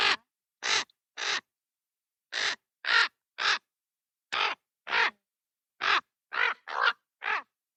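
A common raven gives harsh, hoarse caws close up, thirteen croaking notes in irregular bursts of two or three, each about a third of a second long.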